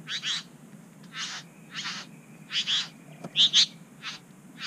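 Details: Satin Bowerbirds at a bower in New South Wales, Australia, a third bird joining two others: rasping, buzzy bursts at irregular intervals, the last few louder with squeaky overtones.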